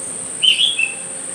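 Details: On 25 December 2022 a myzomela gives a brisk series of high chirps, two bright squeaky notes followed by a lower, softer tail note, with a steady electronic-like hiss throughout.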